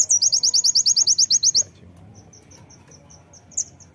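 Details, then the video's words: A brown-throated sunbird gives a rapid burst of about a dozen sharp, high, buzzy notes in under two seconds, then faint high ticks over quiet background hiss. "Kolibri Ninja Fighter Pasti Langsung Nembak Dengar ini"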